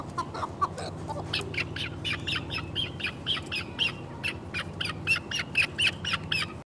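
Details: Chukar partridge calling: a steady series of sharp, clucking chuk notes about twice a second, a few lower notes at first, then higher and louder ones, over a constant low hum.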